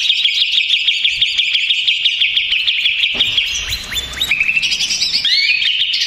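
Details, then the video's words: Greater green leafbird, stressed and noisy, singing as a lure to provoke other leafbirds: a dense, rapid, continuous high chatter of clipped notes, with varied whistled and slurred phrases in the second half. "SUARA CUCAK IJO RIBUT !!! CUCAK IJO STRES"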